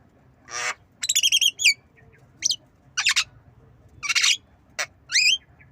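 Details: Javan myna learning to cough mixes buzzy rasps, a fast run of rising whistled chirps, sharp clicks and brief harsh coughing bursts, delivered in quick succession over a quiet background.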